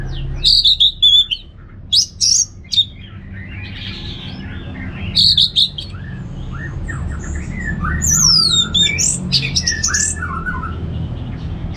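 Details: Orange-headed thrush (Anis Merah) singing in the easy ngeplong style meant to prompt home birds to sing: spaced clusters of bright whistles early, then a long sweeping, descending warble with scattered chirps, over low hum.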